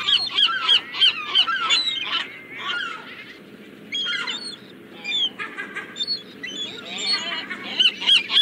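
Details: Seagulls calling in a busy flock, sharp high mewing notes with rising and falling inflections overlapping rapidly, several birds at once, with a soft background hum.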